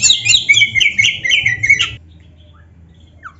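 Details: Oriental magpie-robin singing vigorously, used to arouse and provoke lazy birds into answering a rival; two seconds of loud, rapid, varied whistles and harsh chattering notes, then near silence with a faint low hum.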